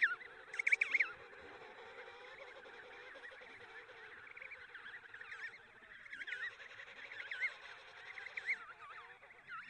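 Emperor penguin chick giving shrill, warbling whistles that wobble rapidly up and down, in near-continuous bursts with faint overlapping calls behind.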